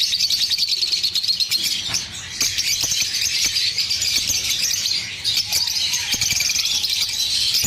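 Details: Lovebird chirping and singing: a dense, continuous high-pitched chatter of rapid twittering notes with no pauses, sharp clicks and taps scattered throughout, and a faint low rumble beneath.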